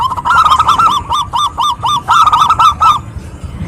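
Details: Local wild zebra dove female calling a male: a loud, slightly rough series of arched cooing notes, about four a second, grouped in two runs that end abruptly.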